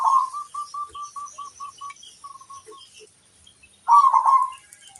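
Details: Local zebra dove in full song, used as a lure to draw answers from other zebra doves: an opening rolling coo, then about nine short, clipped, evenly spaced notes, a pause, and another loud rolling coo.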